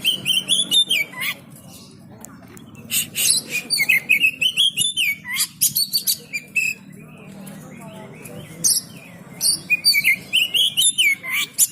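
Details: Oriental magpie-robin being trained at a market: a long, varied song of quick whistled phrases, rising slurred notes and harsh chatters in bursts, with short pauses and a low crowd murmur beneath.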